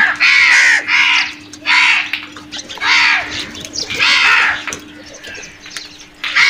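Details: Several crows cawing as they go after food, rough grating calls about half a second long repeated in a steady series, with faint chirping and clicks in the gaps between calls.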